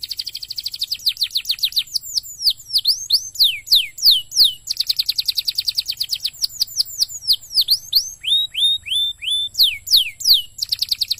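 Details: Canary song used as a lure recording to prompt other canaries to sing: fast high trills of rapid rising-falling notes alternating with slower sweeping whistled slurs and short descending chirps, bright and continuous throughout.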